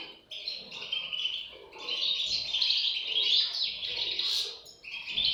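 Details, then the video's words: European goldfinch chicks giving a dense, high chattering of thin overlapping chirps that swells after the first second and stays loud almost without pause. "صوت فراخ طائر الحسون"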